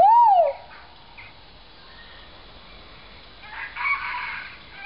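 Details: Great argus pheasant call: one short, loud whistled note that rises and then falls, followed by a quiet background with faint distant chirps.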